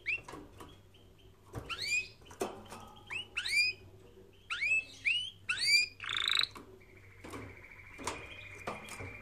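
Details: Canary song used for training canaries: a few bright, sharply rising and falling whistled notes, several quick chirps, a short rattling burst near six seconds and a steady high buzzy tone toward the end, with gaps of near silence between phrases.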